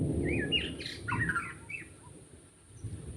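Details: Wild white-rumped shama recorded in forest during bird trapping: varied whistled, slurred phrases rising and falling, with a steady high electronic whine and low background rumble.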